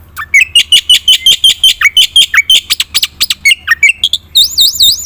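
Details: Black-winged myna singing lively fill-in phrases to coax silent birds; dense rapid chirps with dipping and rising whistled notes, ending in wavering high looped whistles.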